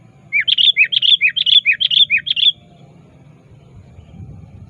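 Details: Sooty-headed bulbul calling out to a rival, used as a lure: a run of about ten rapid, bubbly notes alternating lower and higher over two seconds, then background murmur.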